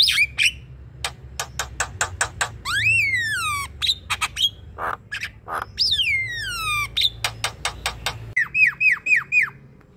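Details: Javan myna in full, energetic song, used to coax a lazy myna into singing: sharp clicks and ticks, long descending whistles with bright overtones, and a run of short rising-falling whistled notes near the end.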